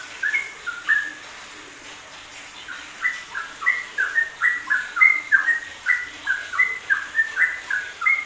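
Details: Masteran recording of a yellow-vented bulbul in ropelan style: a few bubbly notes, a short lull, then a long rapid chain of sharp fluty chirps rising and falling, about three per second.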